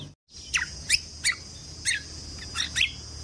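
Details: Lesser green leafbird (kecial kombok) in full 'tembakan' style, used to train songbirds for contests: sharp, high down-slurred chips given in a steady series about every third of a second over a faint constant background hiss.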